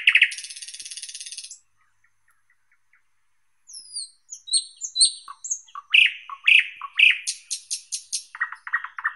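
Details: Singing thrush nightingale: a harsh buzzing trill, a pause, then high thin whistles, loud slurred notes repeated rhythmically and a closing rapid rattle.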